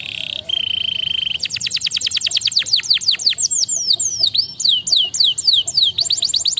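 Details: Canary song opening with a steady high buzzy roll, then a long series of quick downward-sweeping whistles, several sharply looping notes, and renewed rapid sweeps at the end.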